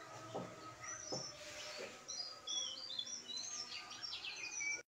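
A Pied Bushchat sings a quick, varied run of high, thin chirps and brief whistled notes, with a few low knocks and faint background hiss.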